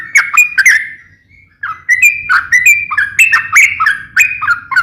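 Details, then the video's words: Trucukan (sooty-headed bulbul) singing 'ropel ngeplong': a few quick whistled phrases, a thin held note and a silent gap, then rapid dipping and rising note pairs with snappy clicks, over a soft low hum. "KICAU SUARA trucukan gacor NEMBAK ROPEL NGEPLONG"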